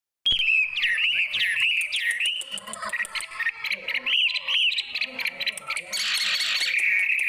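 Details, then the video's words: Songbird from Indonesia pouring out loud, clear looping whistles that rise and fall, with sharp clicks and a human voice underneath. "suaranya sangat menarik.(burung)."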